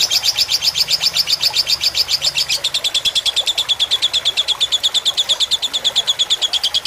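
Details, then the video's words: Lovebird fighter tutor recording with gurgling water for quick learning; brisk shrill chirping that shifts to a slightly lower, denser chatter after two and a half seconds, continuing steadily. "Suara masteran lovebird fighter dengan gemericik air agar cepat masuk"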